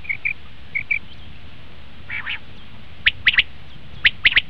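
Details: Common quail call used to lure quail for hunting: soft paired chirps, a brief buzzy double note, then two bursts of three sharp, clipped notes near the end.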